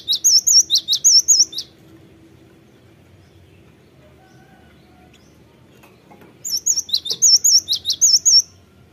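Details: Lure recording of cinereous tit song meant to get birds singing fast: a rapid series of high whistled two-note phrases, then several seconds of near silence with low hum, then another quick burst of bright repeated notes.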